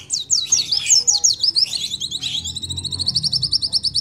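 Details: Sogon white-eye singing loudly and clearly, used as a lure to get other birds singing: rapid, busy high-pitched chirps and twitters, then a steady run of sharp repeated notes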